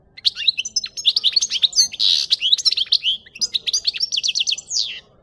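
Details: Continuous, lively twittering of a European goldfinch, from a recording used to lure birds for capture: fast, jumbled, tinkling notes with a brief harsher buzzy patch midway, packed tightly for the whole five seconds.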